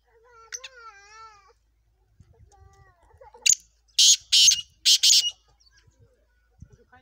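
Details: Black francolin calling: a brief wavering whistled note, then a loud series of harsh, grating, very high bursts, three main blasts in under two seconds, over near silence with faint low thumps.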